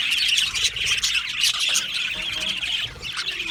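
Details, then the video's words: Aviary flock of Australian budgies chattering: rapid, overlapping high chirps and warbles from many birds, with sharp squeaks scattered through the busy din. "Australian Budgie parrot chirping sounds"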